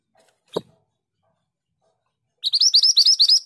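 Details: Scarlet minivet (mantenan gunung), a prolific 'long roll' singer used for tutoring birds: after a single low thump and a pause, a quick run of high, bright upslurred whistles bursts out near the end.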